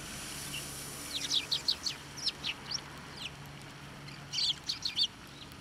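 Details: Sparrows being fed on posts and by hand at a Tenmangu shrine on 24 November 2023; two bursts of short, sharp high chirps, the first a run of about eight notes, the second a tight cluster of four, over quiet background.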